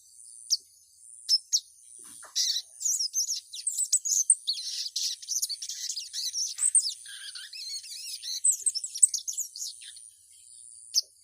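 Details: Female ruby-cheeked sunbird calling a male: a busy stream of high, thin chirps and twitters that thickens in the middle, then thins out to a few isolated notes.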